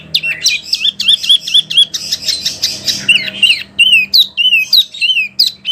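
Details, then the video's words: Wambi singing on a tutor track for oriental magpie-robins and other birds: looping whistled notes, a harsh hissing burst, then clear twisting whistles that swoop up and down. "SUARA BURUNG WAMBI PILIHAN SANGAT BAGUS BUAT MASTERAN BURUNG KACER,DAN LAINYA"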